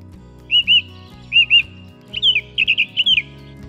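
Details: Song thrush singing clear, high whistled phrases, each given twice in quick pairs before shifting to new notes, over soft background music.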